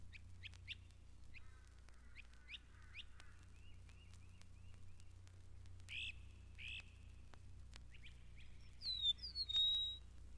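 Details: Great crested flycatcher at Mountain Lake Sanctuary, Lake Wales, Florida, giving loud, burry, upslurred wheep calls, mixed with quick high chirps and bright whistles from other birds over a low steady hum.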